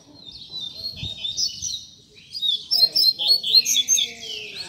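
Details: Rusty-collared seedeater giving tutor song for teaching young birds, opening with soft high warbling, then a louder burst of quick, pulsed chirping phrases after a short pause.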